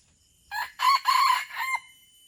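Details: Crow of a red junglefowl from Aceh serving as a lure for wild birds: four clipped harsh syllables, the middle two loudest and longest, ending in a short falling note against quiet surroundings.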